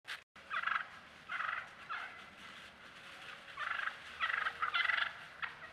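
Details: Wild turkeys recorded by a trail camera, yelping, purring and whining: short raspy bursts of yelps come in separate clusters, sparse at first, then crowding together toward the end over a faint steady hum.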